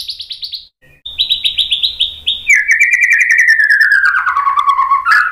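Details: White-rumped shama song meant to provoke other birds into singing: a high buzzy burst of repeated notes, then a rapid stuttering series near one pitch, sliding down into a long string of quick descending chirps.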